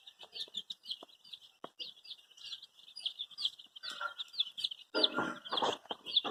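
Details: Baby chicks in shades of red, yellow, green, pink and other colours, seeking their mother, give quick downward-sliding peeps about twice a second, becoming busier and noisier toward the end with rustling.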